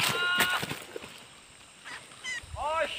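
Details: Aggressive wild sooty-headed bulbul answering a young decoy bulbul used to trap it: a burst of harsh, rich chattering notes, then after a pause a few short, bubbly, rising-and-falling calls, over faint outdoor noise.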